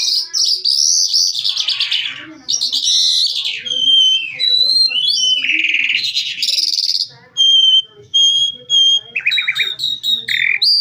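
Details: Calandra lark in full varied song: sweeping slurred notes, buzzy bursts and clean repeated whistles at one pitch, separated by brief pauses, faint low hum beneath.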